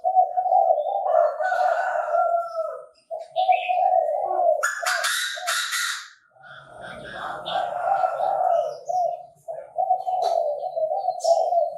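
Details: Bird-trapping recording of a Chinese francolin: one harsh, buzzy, broadband call of about a second and a half rises out of a continuous low droning tone, with faint high twitters scattered around it.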